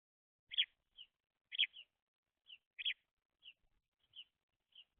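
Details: Baby house sparrows chirping: short, bright chirps repeated about once a second, each loud chirp followed by a softer, quieter note, in an otherwise quiet setting.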